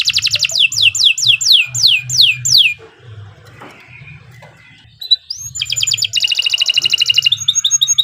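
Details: Canary in long 'gacor' song for tutoring young birds. It gives about three sharply falling whistled notes per second, then a pause with faint background noise, then a rising whistle and a fast, buzzy rolling trill.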